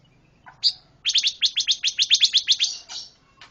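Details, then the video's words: Pancawarna bird in energetic song: a rising slurred note, then a fast, steady string of crisp high chirps, about four per second, fading into a softer final note. "Kicau Burung Pancawarna Gacor Suara Kontras"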